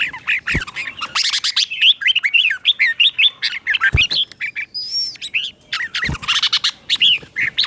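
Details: Red-whiskered bulbul training song for captive birds, with clear doubled phrases: dense, fast chattering warbles with harsher squawky notes mixed in, a high thin whistle partway through and a few sharp cage clicks.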